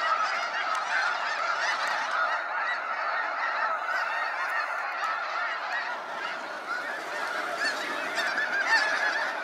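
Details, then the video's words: Large flock of snow geese flying out at sunset from Sacramento National Wildlife Refuge, a constant wall of overlapping high honking calls with no pauses, the massed chorus swelling slightly toward the end. "Waves of Snow Geese Sunset Fly-out"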